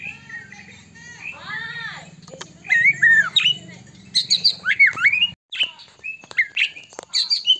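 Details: White-rumped shama, Medan type, singing energetically as a lure to provoke other shamas to sing: a rapid, varied run of loud slurred whistles, sharp upward and downward sweeps and chattery notes, over a low steady hum during the first five seconds.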